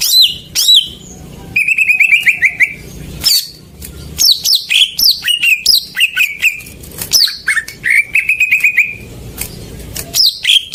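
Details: Singing greater green leafbird, used to coax silent birds into song: loud downslurred whistles, long wavering trilled runs and scattered sharp chips, delivered in quick succession without pause.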